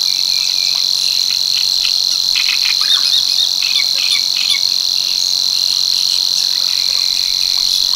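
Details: Monotonous high insect-like reeling from a Savi's warbler at Tancat de l'Illa, l'Albufera breeding grounds, running continuously without a break while brief chirps and notes of other birds drift in underneath.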